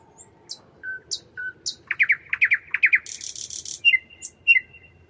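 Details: Night-singing nightingale: sparse high ticks and short low whistles, then a fast series of loud slurred descending triplets, a dense buzzing high trill, and closing pairs of whistled notes.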